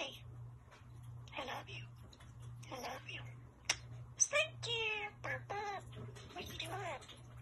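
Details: A talking bird, thought by a viewer to be a common starling, mimics human speech in raspy, scratchy phrases mixed with sharp clicks and squeaky rising whistles, over a steady low electrical hum.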